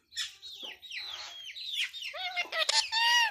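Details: Indian ringneck parakeet kept as a talking pet, producing a fast, slurred string of high, raspy syllables that ends in a brighter, harmonic squawky phrase; quiet room background.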